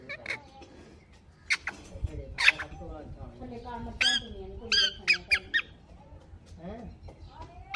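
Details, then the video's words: Pet ringneck parrot, a rose-ringed parakeet said to talk 'mithu mithu'; short, sharp, bright squawk-like bursts come in clusters near the middle and again later, over a lower voice speaking steadily throughout. "Talking parrots sounds video 😍 completion ringneck parrot video bolnywalatota mithu mithu talking"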